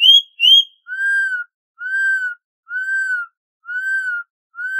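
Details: Campo troupial (corrupião) of Brazil giving the canto clássico dobrado song style: two high whistled notes, then a series of lower, arched, clear whistles evenly repeated about once per second.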